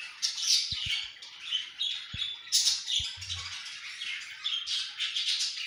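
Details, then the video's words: Hatching budgerigar chicks: continuous high, hissy chirping and squeaks rising and falling in loudness, with a few sharp clicks underneath. "budgie egg hatching video"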